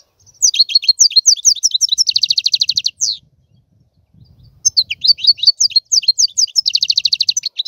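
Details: European goldfinch in two bursts of song: high rapid twittering notes leading into a dense, fast buzzy trill, separated by a short pause with faint low rumble.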